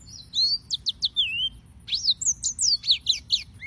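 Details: Yellow-fronted canary song in two quick phrases: first a few clear whistles ending in a wavering slurred note, then after a brief pause a faster sequence of high sliding whistles, finishing with a rising note.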